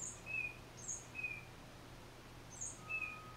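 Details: A single tufted titmouse singing alone, recorded on a Nikon D3500 camera with a 500mm lens: paired notes, a thin very high note dropping to a short lower whistle, given three times over a steady low hum.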